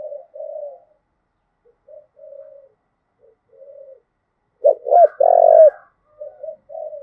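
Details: Spotted dove in Đồng Nai, Vietnam, "thúc gù" coo used as a lure for training decoy birds: soft low murmured coos, then one loud phrase of two quick hooked notes ending in a long drawn, falling coo.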